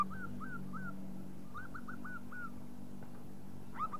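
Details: Local zebra dove, recorded as a lure call: short soft coos in two quick runs, then a brief burst at the end, over a steady low hum.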